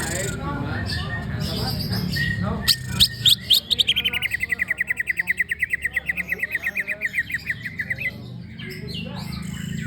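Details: Greater green leafbird singing before a contest, a burst of sharp chirps then a long fast series of repeated buzzy notes that slowly descend, over steady background hum and rumble.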